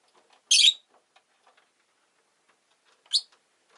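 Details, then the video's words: Rosy-faced lovebird kept as a pet, one loud harsh chirp, then quiet faint ticking, and a second shorter, thinner chirp near the end. "Lovebird Chirping Sounds"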